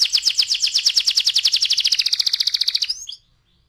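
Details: Canary rolling song: a steady fast trill of high repeated notes lasting about three seconds, ending in a few soft chips and silence.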